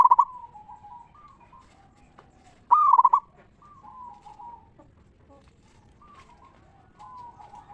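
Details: Local zebra dove singing in the 'ngeristal' style, a song used as a lure to get other zebra doves to sing. One loud, stuttering cooing phrase rises above faint, drawn-out soft coos from other doves in the background.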